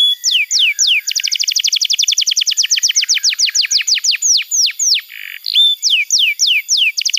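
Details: Canary song offered as a tutor and singing trigger: downslurred whistles speed into a rapid rattling roll, which slows again, with a short buzzy burst and further swooping whistles at the end.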